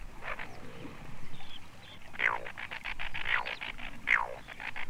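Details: Asian Dowitcher (Limnodromus semipalmatus) from the Soviet Union gives three or four descending, slightly nasal calls about a second apart, with a soft rhythmic background noise and low rumble.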